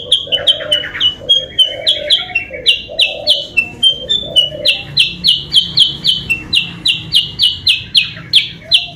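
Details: Sooty-headed bulbul calling as a lure to attract rivals: steady, rapid chattering of crisp high notes, roughly three to four a second, with low mellow cooing underneath early on.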